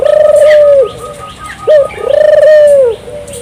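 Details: Turtle dove (burung puter) song used to encourage local doves to sing. Two long, evenly pulsing low coos, each falling away at its close, are separated by a short sharp rising note.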